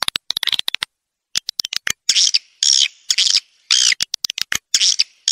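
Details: Edible-nest swiftlet lure sound for a swiftlet house: a run of sharp scattered clicks, a pause, then loud rasping chirp bursts separated by brief clicks.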